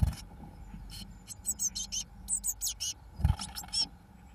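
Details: Eurasian blue tit chicks on day 21, 1 June 2012, as the first two chicks fledge, give a burst of thin, very high chirps, several short notes a second, over low rumbling and knocking noise.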